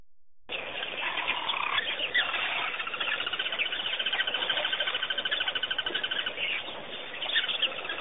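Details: Dense, overlapping bird chatter with rapid repeated chirps and high trills, steady throughout, over a faint low rumble like distant traffic, at Pete's Pond, Botswana; birds.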